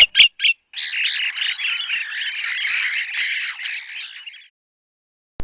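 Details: A southern African wattled starling gives a few sharp clicks, then about four seconds of harsh, wheezy, squeaky chatter in a rapid jumble of high notes.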